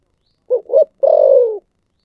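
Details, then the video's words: One phrase from a spotted dove singing in the 'thổ sấm' style: a pair of short hollow coos, then an extended grating note drifting lower, with no background sound. "cu gáy giọng thổ sấm"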